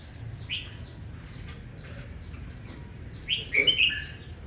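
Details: Red-whiskered bulbul singing aggressively in the morning, a male stirred up to sing competitively: faint scattered chirps, then a loud burst of bright whistled notes with a buzzy trill near the end, over steady low background noise.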